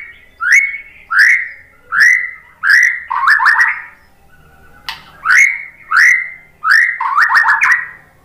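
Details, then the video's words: Repeated upswept whistles from a white-rumped shama, played to provoke other shamas into song: rising notes roughly every 0.7 seconds, each group ending in a quick stuttering run, with a short pause midway. "memancing BUNYI ‼️ MURAI BATU jadi NYAUT ikut GACOR BONGKAR MATERI ¦ PANCINGAN MURAI"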